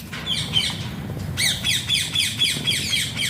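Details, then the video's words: Talking Alexandrine parakeet, or pahaadi tota, repeating short raspy squawks about four times a second, with a brief pause midway before the rapid series resumes; low steady hum underneath. "Alexander pahaadi tota funny talking sounds"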